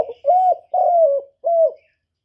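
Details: Spotted dove decoy bird giving three soft, low, hollow coos, the middle one longest, in about two seconds, a call for luring wild doves.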